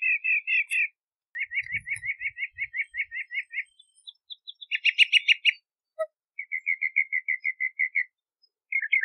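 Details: Bahama mockingbird singing a varied series of phrases: rapid repeated chirps around a steady pitch, a buzzy burst, then an evenly spaced run of short clear notes, with brief pauses between phrases.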